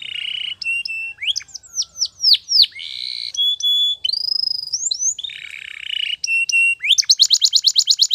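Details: Morning training song of a Spanish Timbrado canary: varied whistled slurs and sweeping notes, flat buzzy and bell-like tours, closing with a quick metallic trill; a faint low hum sits underneath.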